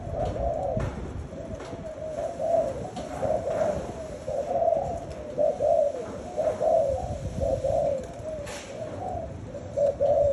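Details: Spotted doves in steady overlapping cooing, soft hollow notes rising and falling almost without pause, with faint clicks and knocks in the background.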